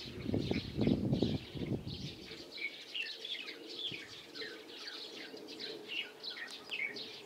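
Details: Light-vented bulbul calling on 16 April 2023: dense, overlapping chirps and short slurred notes at a rapid pace, several birds seemingly chattering together, with low thumping sounds during the opening two seconds.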